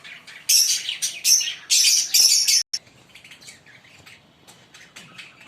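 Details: Green pair of Fischer's lovebirds singing: several loud, harsh, high-pitched chirp bursts in the first half, then a sudden break followed by faint, scattered twitters.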